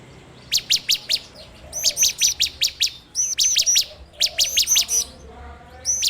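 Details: Bar-winged prinia recorded on an Android phone for training birds: short groups of four to six bright, high chirps and arched whistled notes, separated by brief gaps.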